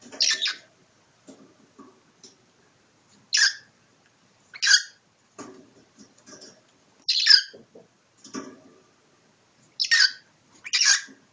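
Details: Pet cockatiel fighting its owner, giving short harsh screeches at irregular intervals, about eight over ten seconds, mixed with soft rustling and scuffling sounds.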